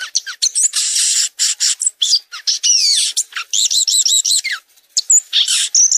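A violaceous euphonia sings a fast, varied jumble of high chirps, buzzy notes and rapid looping whistled trills, with brief pauses between phrases.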